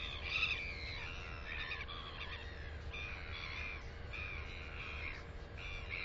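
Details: Northern royal albatross seen in close-ups on 9 September 2020, giving a series of harsh, nasal calls with stacked harmonic bands, several drawn-out notes across six seconds over a low steady hum and background noise.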